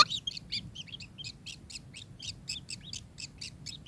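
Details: Kingfisher giving a rapid string of short, high, clipped notes, about four per second, each a quick up-and-down chirp, with a faint low hum underneath.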